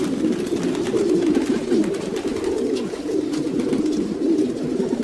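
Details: Domestic pigeons cooing together, a dense, steady low murmur of overlapping coos with soft clicks and rustles throughout.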